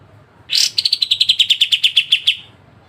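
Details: Very clear pied triller besetan, the sharp trill style used for training songbirds: one strong opening note, then about fifteen crisp high pulses, evenly spaced and easing slightly lower, over a quiet low hum.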